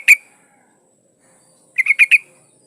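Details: Breeding female yellow-vented bulbul calling a male: one sharp note, then a quick run of four liquid chattering notes after a pause, with a thin constant high whine behind.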